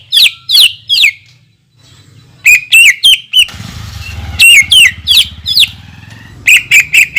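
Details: Leafbird lure song with 'tembakan' shots: scattered sharp, descending whistled slurs in twos and threes, a soft hiss in the middle, then more emphatic downslurred notes.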